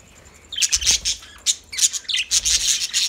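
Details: Lovebird song heard as sharp, shrill chirps and squeaky chatter in quick bursts after a short quiet start.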